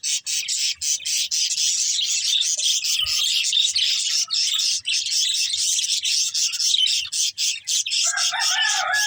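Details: Several budgerigars eating green food keep up a steady, high, scratchy twittering, then a lower, wavering, nasal warble enters near the end.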